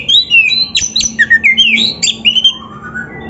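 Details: Oriental magpie-robin (kacer) training song meant to get a captive bird singing: rich sequence of clear whistled slurs, some rising and some falling, delivered quickly with brief pauses, over faint steady hum.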